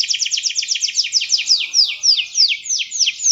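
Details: Singing canary delivering a quick series of downward-sweeping whistled notes, the rhythm slowing from a rapid roll to about three notes a second, high and clear.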